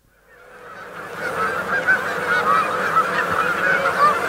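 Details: A feeding flock of Canada geese honks continuously, overlapping nasal calls at about two or three per second. Crickets or grasshoppers are in the background, with a faint hum.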